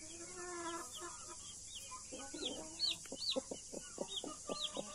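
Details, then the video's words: Blue mother hen with australorp and Brahma chicks; a drawn-out nasal cluck, then a rapid series of short clucks about twice a second, with high arched chick peeps above and constant background hiss. "Blue MOTHER HEN with her CUTE baby chickens"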